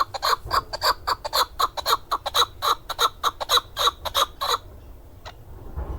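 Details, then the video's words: Male hunting chukar, Darvoz district, Tajikistan, 2020, calling a fast, urgent string of harsh chuk notes, over three per second, that breaks off into quiet after four and a half seconds, with one last faint note. "Садои Нар Кабки Шикории н. Дарвоз 2020. Голос птиц как поёт горная Куропатка (Кеклик) Keklik in Tjk"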